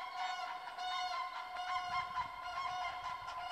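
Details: Several common cranes in Masovia, Poland, trumpeting their resounding klangor, a steady overlapping chorus of rich, harmonic honks from a group of birds, heard somewhat farther away.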